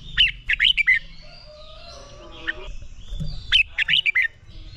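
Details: Training song of a red-whiskered bulbul, meant to fire up bulbuls for contest singing: two loud bursts of rapid, liquid whistled notes separated by softer, distant chirps and twitters.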